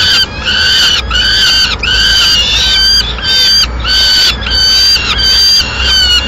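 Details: A female peregrine falcon arriving mid-morning in Madrid with pigeon remains gives loud, harsh, ringing calls, each about half a second long and repeated almost without pause, over a low background rumble.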